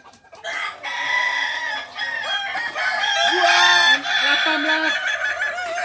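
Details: In Ampang Kualo, Solok city, balenggek roosters crow at a practice contest; several cocks overlap, and one gives a broken series of short held notes at changing pitches, over steady crowd chatter.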